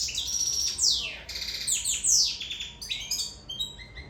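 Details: Sicilian European goldfinch in love sings a lively stream of descending sweeps, rattling buzzes and sharp chirps, tailing off into softer short notes.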